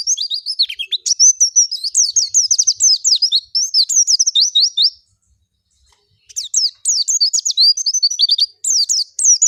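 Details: Prolific ngalas song of an oriental white-eye, used to provoke white-eyes to sing: long, tumbling chains of high, rapid slurred and trilled notes, interrupted by a silence of about a second before resuming.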